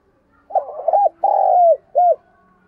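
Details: Single full coo phrase from a spotted dove decoy bird of thổ voice, meant to provoke wild doves: a rolling, quavering opening, a long sustained hollow coo sliding down, then a short clipped final coo.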